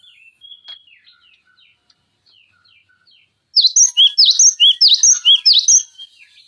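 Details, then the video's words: Cinereous tit singing as a tutor for training other songbirds: soft scattered chirps at first, then a loud three-second run of sharp, repeated, high two-part notes. "Masteran Pancingan Gelatik Batu Gacor Full Isian Tembakan Tajam Durasi Panjang"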